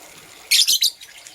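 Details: A green or blue lovebird chirping in the morning gives a quick string of three loud, buzzy, high chirps.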